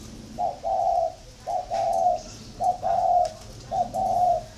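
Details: Spotted dove kept for competing against a decoy bird; soft low cooing phrases, each a short note then a longer drawn coo, repeated about every 1.1 seconds, over a steady background hum.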